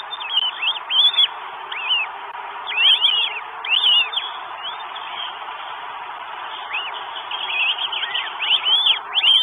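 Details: Northern goshawks in Estonia on 12 May 2022, with food being brought, give high, arching downslurred squeals in uneven bursts, several voices overlapping, over a steady background hiss.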